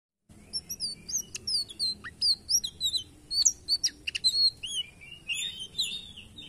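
An indigo flycatcher sings a high, squeaky, rambling twitter of quick varied chirps and slurred whistles.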